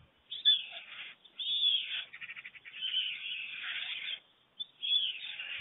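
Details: Pair of adult white storks greeting at their nest in Germany at 5:38 a.m. on 24 June 2020, clattering bills as one returns to feed the storklet; rough hissing stretches broken by a quick, rattling run of pulses.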